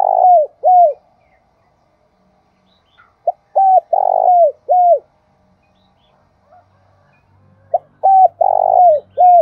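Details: Decoy spotted dove cooing to draw wild doves: repeated phrases of short note, mellow coos and a longer throbbing coo ending in falling notes, phrases separated by a few seconds of quiet, faint low hum between.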